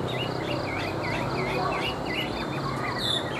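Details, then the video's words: Tame caged Chinese hwamei, hand-carried and singing when set on a table, gives a quick run of short looping whistled notes, repeated several times a second, over steady low background hiss and rumble. "Họa Mi Hót"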